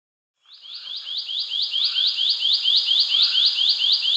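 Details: Indian paradise flycatcher: a rapid series of short, clipped downward-slurred notes, about two per second, steady and high, with a fainter lower note in the background.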